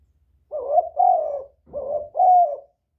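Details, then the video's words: Spotted dove luring other doves with a clear four-note cooing phrase, two drawn-out hoarse coos followed by two more, loud and close with little background. "Tiếng chim cu gáy kích bổi mau nổi, cu gáy kích mồi hay"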